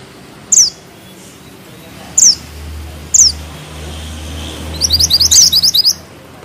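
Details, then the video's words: Mountain bushchat (mantenan gunung) in full song, delivering tight rolling phrases and sharp notes: three very high, piercing downslurred whistles spaced about a second and a half apart, then a fast rattling trill of rapid high chips near the end. "Mantenan gunung gacor ngeroll rapat,nembak tajam!!"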